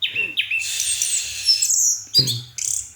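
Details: Orange-headed thrush at night gives two short descending whistles, then a long harsh buzzing trill and bright high notes, with a faint low hum.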